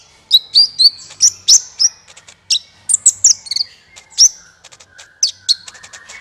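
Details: Lively sequence of an Olive-backed sunbird used to lure birds for trapping: rapid, very high tweets and sharp chips, some notes falling in pitch, with several lower whistled notes near the end.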